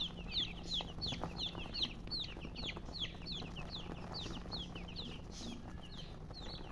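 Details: Chicks cheeping in a group, bright falling peeps repeated nearly three times a second, rather irregular, over a constant low hum.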